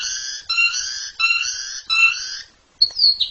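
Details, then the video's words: Jalak suren, Asian pied starling, in a masteran recording giving nasal, harmonic-rich notes repeated about every 0.7 seconds, four in a row, then a brief pause and a sharp high squeaky phrase. "JALAK SUREN SUPER NGEPLONG KICAU PALING NGERIWIK"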